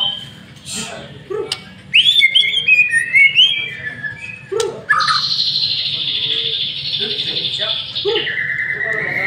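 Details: White-rumped shama singing a lure song, a caged master bird in full voice: sharp chips, a rising twittered phrase, then long sustained high whistles held for several seconds, low hum in the background.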